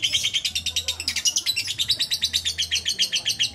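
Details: Lovebird held in someone's arms, delivering ngudang: rapid high chirps repeated continuously about eight times a second, bright and slightly metallic, with a faint low hum in the background.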